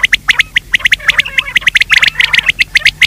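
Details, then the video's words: Quail daytime lure call: rapid stream of short, sharp high chirps, several per second, fairly evenly spaced with a few denser rasping patches. "Batir ki awaz Quail sound for day part 2( دن کے بھلانے کے لئے)"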